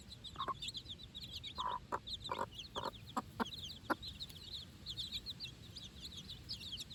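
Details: Four-day-old chickens out on fresh grass with their mother for the first time: a flock of high, rising-falling chick peeps chirps continuously, mixed with short, lower, pulsed clucks from the hen.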